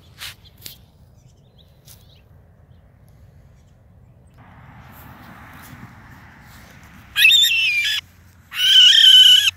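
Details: Barn owl screaming for help in the morning after a hawk attacked it and struck it down from a palm tree. Quiet rustling and faint noise come first, then two loud, harsh, hissing screeches, each about a second long, close together at the end.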